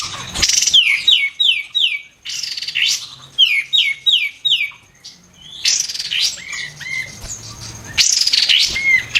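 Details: Kapas tembak, the White-eared bulbul, prized for its loud, sharp shooting phrases, sings repeated bursts of clear descending whistles in tight series of four to five, separated by short squeaky notes and brief pauses.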